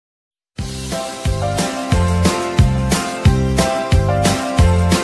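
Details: After a brief silence, a rhythmic instrumental tune with a plucked guitar and a thumping beat repeating about every second takes over, with no animal calls heard.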